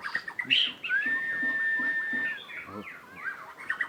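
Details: Song of a white-rumped shama in breeding condition: a sharp high note, then a long, level whistle held for over a second, followed by softer slurred whistles and chatter.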